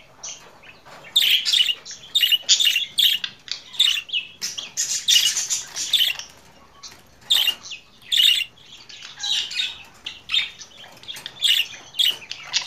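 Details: Budgerigar warbling in irregular bursts of squeaky chirps, harsh chatter and short trills, separated by brief pauses.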